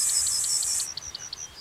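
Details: Male Yellowhammer singing at dawn in countryside to mark its territory, its characteristic song a quick run of thin high chips about six per second; steady background hiss.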